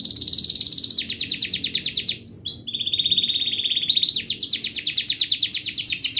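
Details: Canary singing, meant to prompt young canaries to learn to sing and silent ones to start; high rapid trilled tours, a fast pulsed trill, a brief swooping note, a steady buzzy roll, then fast trilling resumes.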